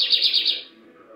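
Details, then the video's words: A captive male Lined seedeater, in weak song after about 15 days of molt, gives a quick run of four bright, high chirps in about half a second on 18 December 2022, then falls quiet over faint hum. "canto desse bigodinho"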